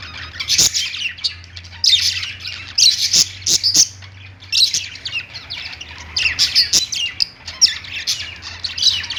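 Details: Pet budgerigars warble on a perch in clustered bursts of shrill chirps and trills, pausing briefly between runs, while occasional clicks punctuate the chatter.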